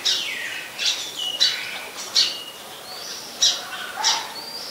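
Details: Oriental magpie-robin singing in Ubon Ratchathani, Thailand, 26 December 2020, where it is a very common resident; varied whistled phrases, falling slurs and sharp high notes, with accented bursts about once a second.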